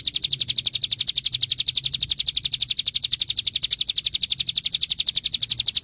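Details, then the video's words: Ciblek gunung, the bar-winged prinia, delivering its 'ngebren' song as training material for young songbirds: a fast, machine-gun-like series of sharp, high chips, perfectly regular and continuous, with no other sounds. "MASTERAN CIGUN"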